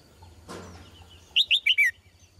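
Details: Female red-whiskered bulbul singing: after a brief rustling thump, one quick phrase of four loud, bubbly, warbled notes, each sliding downward, delivered in under a second, followed by quiet.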